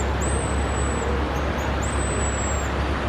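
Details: A very noisy pigeon guillemot (Cepphus columba) calls from the ocean shore behind Cannery Row, giving two long, very high, thin whistles about a second apart, over a steady low rumble of traffic.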